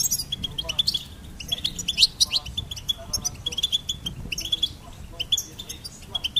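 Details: Repeated short phrases of crisp, tinkling notes and twitters from a goldfinch, each burst separated by brief gaps, sounding clear against a quiet background.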